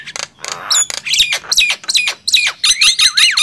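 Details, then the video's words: Nias hill myna versus black-winged myna in a loudness contest: a brief rough rasp, then shrill squeaky notes and looping whistles that swoop downward, delivered in quick succession. "Adu keras gemboran jalak nias vs jalak kebo"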